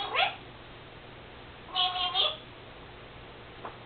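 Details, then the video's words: Pet female Senegal parrot, recently mimicking her owner's sneezing, utters a short scratchy note, then a half-second nasal, voice-like phrase with a wavering tone, and a faint click, indoors with low hum. "Senegal parrot Lucy talking...and making sneezing sounds.."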